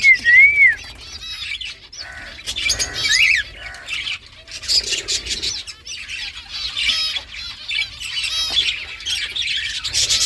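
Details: Green ringneck talking parrot, a rose-ringed parakeet, opening with a rising-falling whistle, then chattering in harsh, speech-like bursts and squawks separated by short pauses.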